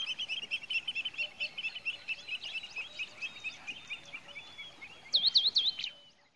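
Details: High twittering chatter from a Pied Kingfisher in Kruger Park, continuous and busy, ending with three loud, piercing up-and-down squeaks in quick succession before falling quiet.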